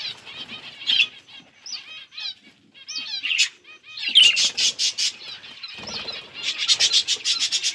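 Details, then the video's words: Budgies chirping while eating: bursts of bright, warbling chirps and rapid scratchy chatter, broken by short pauses, with busier overlapping calls in the second half. "Budgies eating | Budgies beautiful colors and chirping sounds"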